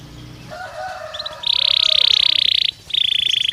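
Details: Belgian canary stimulus song for training a bird to sing: after some faint, muffled low sounds, a loud, buzzy rolling trill holds for over a second, a short gap follows, then a second similar roll.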